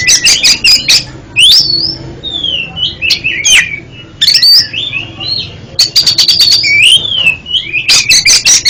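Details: Therapy song for a stuttering oriental magpie-robin: bright whistled phrases rise and fall, interleaved with rapid series of sharp repeated notes at the start and near the end.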